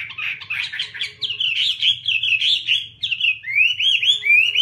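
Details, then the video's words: A tame Chinese hwamei (Garrulax canorus) sings a loud, rich run of fast warbled phrases, then clear rising and falling slurred whistles, with a low hum underneath. "Garrulax canorus/ Birds singing"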